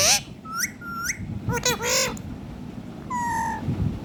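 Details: Pet rose-ringed parakeet singing and dancing: a handful of clear whistled notes, some rising and bending, others long and falling, with harsh squawk-like bursts between them.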